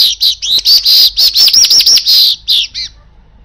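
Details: Asian golden weaver song played as a lure for birds: a fast run of loud, harsh, buzzy chattering notes, about three per second, with looping scratchy phrases, ending in a short twangy note and silence.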